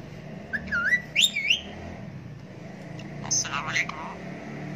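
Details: Indian ringneck parakeet, a talking pet parrot: warbling whistled phrases rising and falling in pitch, then a pause and a second burst of whistled, speech-like notes, over a low steady hum.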